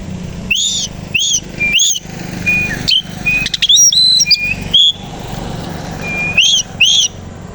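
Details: Kacer koci Oriental magpie-robin in morning display with tail opened; loud arched whistles repeated about every half second, a middle passage of varied chirps, and a low steady hum underneath.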